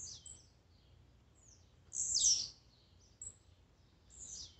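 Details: Blue-black grassquit singing, a recording meant to excite a kept bird: one loud, harsh, buzzy burst that slides down from very high pitch, flanked by softer similar notes and short high chips.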